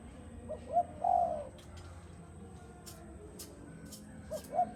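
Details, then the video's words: Spotted dove of the Malaysian strain used as a ground decoy, singing in the style called "giọng đồng": low soft cooing, two short notes then a longer drawn coo, with more short coos at the end and faint clicks. "Giọng đồng"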